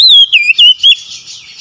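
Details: Oriental magpie-robin singing, used to coax a stressed, silent bird back into song: a short run of four loud, slurred whistles with falling and rising bends, then a fading buzzy tail.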